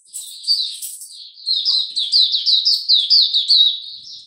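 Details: Oriental white-eye kept as a hobby songbird, recorded 26 November 2022 during a song display. Rapid run of high, chirpy, slurred notes that tumble downward. A brief burst of louder tweets opens, then a steady string of about ten bright notes.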